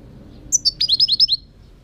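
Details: European goldfinch singing: one high piercing note, then a rapid run of about six bright twittering notes sliding slightly downward, all within a second, over a quiet low hum.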